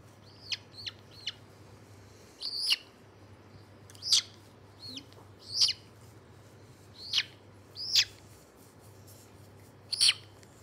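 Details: Loud, shrill squawks and sharp chirps from a white-bellied caique recorded 27 August 2022, repeated every second or two, with a low constant hum beneath.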